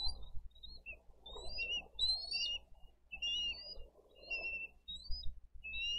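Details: At a Dade County bald eagle nest on 22 April 2023, adults deliver fish and feed eaglets; a run of high, thin chittering whistles, some rising, repeated about every half second over murmuring low noise.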